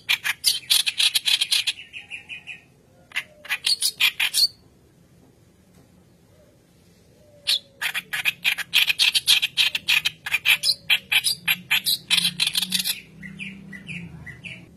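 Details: White-browed kerak basi in loud continuous song, used as a training lure: dense bursts of rapid harsh chattering and scratchy notes, a pause of about three seconds, then more chatter ending with softer whistled phrases.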